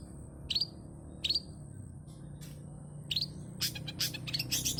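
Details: Long-tailed shrike, singing lively with many fills as a lure: three short separated chirps about two-thirds of a second apart, a faint note, then a tight burst of rapid high chattering notes and whistles.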